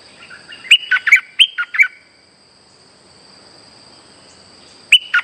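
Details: For luring birds into traps, a streak-eared bulbul sings a chattering phrase of six quick, clear notes that step up and down, then falls silent for about three seconds before starting again; a thin electronic-sounding whine persists.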